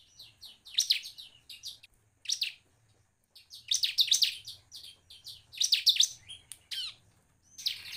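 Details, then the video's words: Bar-winged prinia (ciblek) singing to stir other birds to sing, delivering irregular bursts of high, rapid, scratchy chirps separated by short pauses, with faint low hum beneath. "Suara burung ciblek gacor, paling cepat merangsang ciblek lain cepat gacor|| pancingan ciblek"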